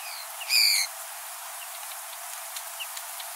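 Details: A Common Linnet gives its long nasal buzzing call like a plastic toy trumpet, about a third of a second, followed by a few faint distant chirps.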